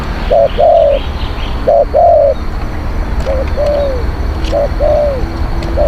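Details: Lure recording of a spotted dove, praised as a strong, fierce cooer: pairs of soft coos, a brief note then a longer downward-bending one, repeated about every second against faint low noise.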